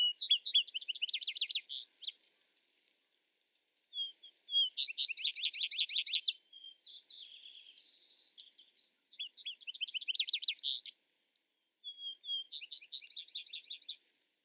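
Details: Vesper sparrow singing repeatedly: soft lead-in notes followed by rapid bright trills, and one bout with a buzzy warbled passage, with short pauses between songs.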